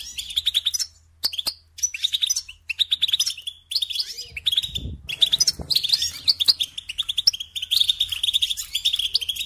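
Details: European goldfinch tutoring song meant to train young songbirds: phrases of quick, tinkling chirps separated by short silences, then a longer run of steady, liquid twittering, with a soft low sound near five seconds.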